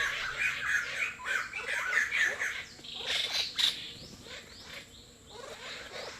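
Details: Greater necklaced laughingthrushes at a bird hide in Kaeng Krachan National Park, Thailand, visiting for food, water and bathing, give harsh chattering squawks and mid-pitched whistles in quick, overlapping bursts, several birds at once.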